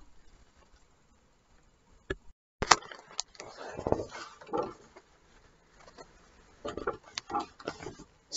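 Little penguins give short, rough grunting bursts, several in quick succession, over scuffling and pattering noises close by.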